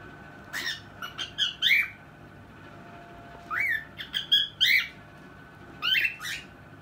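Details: A noisy cockatiel (Nymphicus hollandicus) gives loud, harsh rising chirps and squawks in bursts, with brief pauses between.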